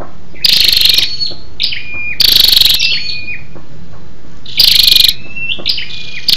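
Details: Female scarlet-backed flowerpecker calling to stimulate males, a lure call: three loud, rapid, high buzzy trills about half a second long, spaced roughly two seconds apart, with thin sliding whistled notes between them.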